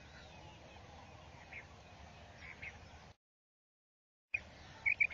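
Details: A female quail gives a few short, sharp, mid-pitched notes, some in quick pairs near the end, over a steady background hiss with a brief silent break. The call is used for quail hunting.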